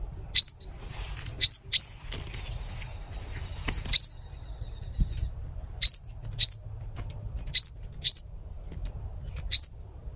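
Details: Sunbird (hút mật) singing, with a bird-trap hashtag attached; sharp, very high, upward-flicking chirps come singly or in quick pairs about every second or two, with a low rumble underneath.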